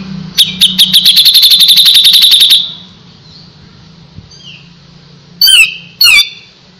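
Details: Lively Grey-cheeked Bulbul song: a long, rapid rattle of high, evenly repeated notes lasting about two seconds, then quiet, then two loud, harsh, descending squawky phrases.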